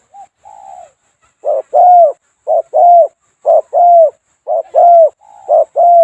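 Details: Spotted Dove, a two-coo bird with a small voice, kept as a decoy for trapping in Thailand: a few soft opening notes, then paired low hoots, a short coo and a longer one, repeated about once a second.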